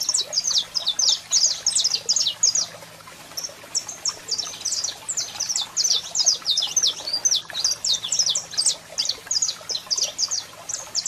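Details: Saffron finch, a male singing at length with a female calling: rapid runs of high, sharp chirps and short slurred notes, repeated in dense phrases with a brief pause near three seconds, over a low steady hum.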